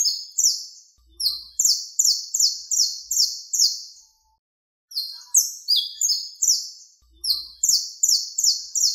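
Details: Saffron finch (canario criollo) contest song, played to teach birds to sing or to call others of the species: bright, high chirped notes in quick runs of about six, with brief pauses between phrases and no other sounds.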